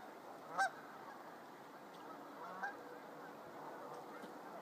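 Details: Geese resting on a morning visit to Lyndee Shore Conservation Area in Whitby, Ontario, a popular evening landing place; two short, nasal honks about two seconds apart over a quiet, steady hiss.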